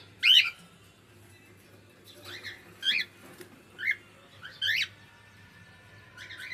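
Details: Pet cockatiel giving a sequence of sharp squawking chirps about once a second, the first loudest, over a low steady hum indoors.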